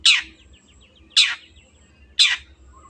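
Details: Long-tailed shrike sound used to coax silent birds into song: three grating, scratchy shrieks about a second apart, each falling away quickly, over faint low murmuring and soft chatter.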